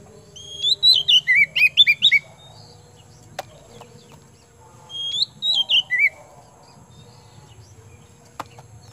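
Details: Kemben-type oriental magpie-robin, described as a hot-tempered, vigorous singer: quick phrase of looping whistles falling step by step, repeated after a pause in shorter form, with a couple of sharp clicks between phrases and a low steady hum behind.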